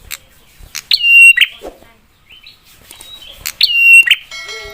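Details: Prinia with a sharp, fiery song meant to provoke other prinias into replying: two loud phrases, each a snapping click then a steady high whistled note ending in a buzzy burst, with soft chirps between.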